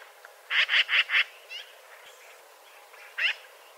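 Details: Eurasian magpie chattering: four rapid, harsh, rattling notes in quick succession, then a brief pause with faint softer sounds and one more harsh note near the end.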